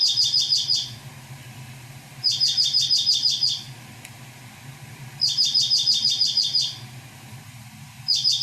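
A Dark-eyed Junco sings a dry, rapid, even trill on one high pitch, each about a second long and repeated every three seconds over a faint low hum.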